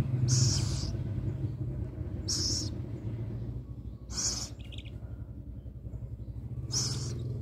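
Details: Rescued little owl before feeding gives harsh, breathy hissing screeches, each about half a second, repeated every two seconds or so, over a low mechanical hum.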